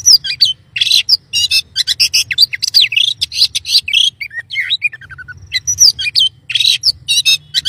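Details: White-rumped shama in vigorous continuous song: long sequence of fast harsh chatters, whistles and buzzy notes with a brief falling run of clear notes, over faint low hum.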